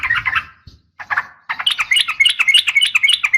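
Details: Female sooty-headed bulbul calling to a male in a fighting call: brief low rumble, then dense rapid chattering notes, bubbly and slightly harsh, speeding into a busy run of bright chirps after a short pause.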